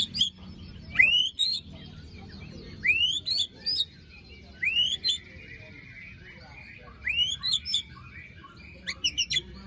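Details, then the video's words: Murai batu, the white-rumped shama, in a lure recording meant to restart song after moult: four phrases roughly every two seconds, each an upward whistle then a scratchy rasping burst. "Pancingan murai batu macet bunyi paska mabung terbaru besetannya bikin ngilu!!"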